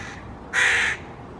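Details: Hooded Crow (Corvus corone cornix) fledgling perched in a maple tree in Helsinki, Finland, June 2018, gives one loud, harsh, rasping caw lasting about half a second over quiet background hum.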